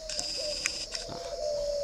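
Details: Red-billed, yellow-legged spotted dove kept at a breeder's aviary in Ba Vì, Hanoi, Vietnam; a sustained low coo runs almost steadily while faint clicks and knocks sound in the background.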